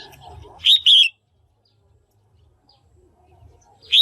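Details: Female red-whiskered bulbul, calling to stimulate males or find a partner, gives one bright two-part chirp after faint low noise, and another phrase begins at the very end.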